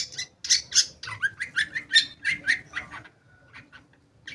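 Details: Long-tailed shrike singing, from a recording meant to prompt shrikes that have stopped singing: harsh rasping notes alternate with clear mid-pitched whistles in a busy phrase that fades into quieter scattered notes.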